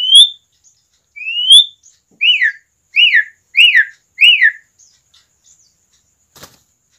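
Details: Asian pied starling singing as a lure to get other starlings going: two long rising whistles, then four short up-and-down notes repeated in quick succession, ending in silence and a single click.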